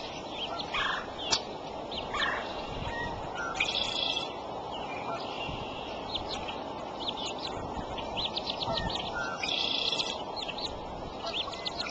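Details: Female bald eagle feeding eaglets at the Decorah nest, 8:37 am, April 13. Squeaky high chirps and brief whistled notes sound in uneven groups against a steady hiss.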